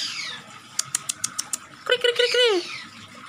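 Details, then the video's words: Agitated oriental magpie-robin, tail spread and attacking, gives a row of sharp dry clicks followed by a burst of rich, downward-slurring harmonic notes. "Burung Kacer Buka ekor, penuh emosi, Nyerang"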